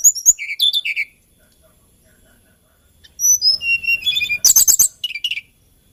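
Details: Hill blue flycatcher, known as tledekan gunung, singing two melodious phrases of high descending whistles and trills, the second with a sustained lower whistle and a rapid buzzy flourish.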